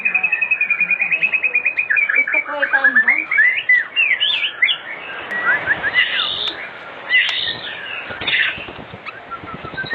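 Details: Afternoon lure song of an oriental magpie-robin to prompt other magpie-robins to sing: a rapid opening trill, then varied looping whistles and chattery phrases with brief pauses.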